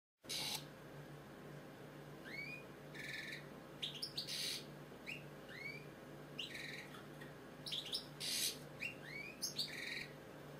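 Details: British goldfinch, a pet bird, singing: scattered high twittering chirps and short upward-curving notes in bursts, with quieter gaps between phrases and a steady low hum underneath.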